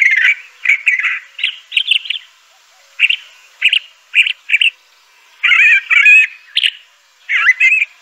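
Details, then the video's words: Crissal thrasher (Toxostoma crissale) song in spaced phrases: short warbled pairs of notes, a longer gap, then richer slurred and whistled figures toward the end. "Crissal Thrasher bird song.(Toxostoma crissale)."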